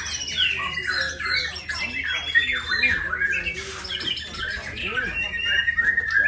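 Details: Bornean white-rumped shama pouring out a fast medley of sweet whistles mixed with harsh squawky notes and scratchy bursts, phrases tumbling together without pause over a constant low background hum.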